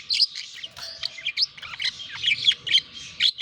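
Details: Budgerigars in courtship and mating, giving rapid chattering warble of squeaks, chirps and short buzzy notes, densely packed with brief bright whistles.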